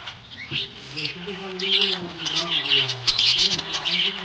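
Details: A happy budgerigar keeps up a continuous high twittering chatter of quick chirps and squeaks, with faint lower wavering tones in the background.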